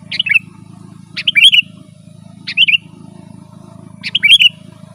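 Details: Sooty-headed bulbul chattering its 'gacor' song used as a lure for wild birds: four short bubbly whistled phrases, roughly one per second, clear against a low continuous background hum.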